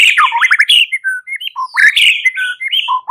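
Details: Fighting-style white-rumped shama song played for training: rapid, continuous varied whistles, quick slurred up-and-down notes and buzzy trills, loud and clear without other sounds.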